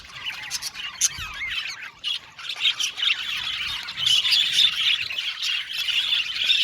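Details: Budgies in an aviary colony, a constant high chatter of overlapping chirps, rapid warbles and sharp squawks that grows louder toward the end.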